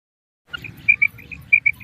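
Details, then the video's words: Female common quail giving its kirak, a call used to keep in touch with companions: a few scattered high chirps followed by two quick sharp double notes, over a faint low hum. "مادہ بٹیر کی کرک | मादा बटेर की आवाज़ | Mada Batair ki kirak | Female Common Quail Raising Call"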